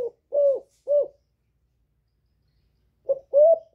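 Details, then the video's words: Female spotted dove coos to rouse males: three short, hollow coos, a two-second silence, then another quick run of throaty coos. "Tiếng Cu MÁI GÁY GỌI. Kêu ổ kích trống căng lửa, tiếng cu đất mái, chim cu kích bổi, cu cườm gáy"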